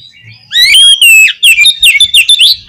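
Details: Oriental magpie-robin, song for provoking a pet magpie-robin to sing: a long clear whistle sliding down, then a lively string of quick warbled and chipped notes, loud and close.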